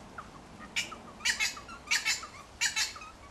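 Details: Wattlebirds mobbing a Kookaburra to drive it out of a backyard, with their nest about two metres away: loud harsh, raspy squawks in four bursts, several doubled, with faint softer chirps between them.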